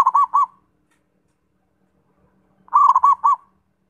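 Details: Zebra dove: the end of one phrase of rounded staccato coos, a pause of over two seconds, then a full phrase of rapid notes settling into evenly spaced coos.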